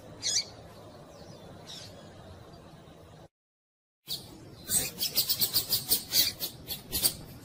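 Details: Double-collared seedeater; female call; female calling to excite males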